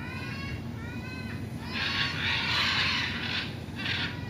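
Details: Macaws on a wooded hillside at Colinas del Bosque, Puerto Rico, give a few nasal, wavering calls, then a burst of harsh, raucous screeches lasting about two seconds, over a low background rumble.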